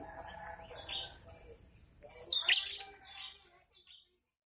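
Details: A male prinia (red-headed, in breeding condition) sings when approached by a female, the pair calling back and forth: high, thin chirps and sharp trilled bursts in quick succession, rising and falling before fading out.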